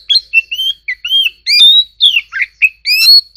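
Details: Competitive song of an Oriental magpie-robin: a rapid sequence of varied whistles, rising slurs and harsher, buzzy notes, delivered without pause.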